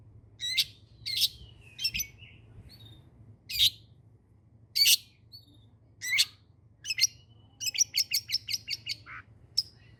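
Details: Long-tailed shrike (cendet) in energetic song, scattered harsh chips and short buzzy notes, a quick rattling run of rapid repeated notes near the end, over a constant low electrical hum.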